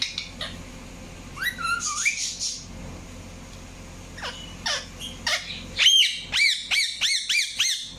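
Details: Indian ringneck parakeet mixing scattered whistled and scratchy notes with a closing series of about six loud arched chirps.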